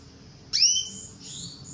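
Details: Female canary calling to lure a male into singing: a single bright, upward-sweeping whistled note, sharp at onset and then held, over a quiet low background hum.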